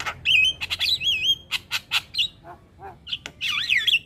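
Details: Black-winged myna (jalak kebo) masteran song for young mynas to learn: wavering warbled whistles, harsh broadband chatters, low nasal notes, then a long wobbling whistled phrase.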